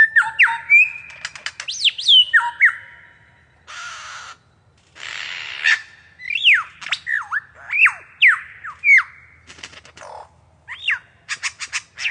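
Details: A lyrebird's sequence of mimicry before its courtship display: a rapid medley of ringing whistles, sharp looping notes, harsh rasps and dry clicking bursts, changing every second or so.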